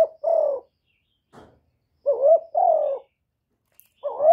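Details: Spotted dove (cu gáy) calling and cooing, clean close recording: repeated two-note coos, a rising wavering note followed by a longer falling one, roughly every two seconds, with a soft rustle between phrases.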